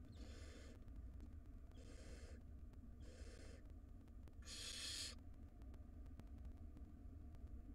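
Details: Wild barn owl nestlings in a monitored nest box, being fed by the mother; harsh broadband hissing screeches repeated about once a second, with a louder final burst, over low steady hum.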